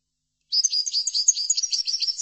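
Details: European goldfinch singing a chordonier-style song used for song training. After half a second of silence comes a rapid, continuous, high twittering of thin notes and trills, with no other sounds.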